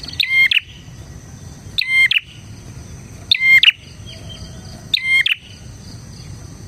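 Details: Energetic bar-winged prinia song meant for tutoring and luring prinias: four strident, ringing double-note bursts repeated roughly every one and a half seconds, with a faint continuous high-pitched drone in the background.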